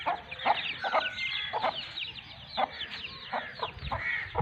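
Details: Aseel hen and two-month-old chicks in Sindh, Pakistan. Short, abrupt hen clucks come roughly every half second to second over continuous high, wavering chick peeps.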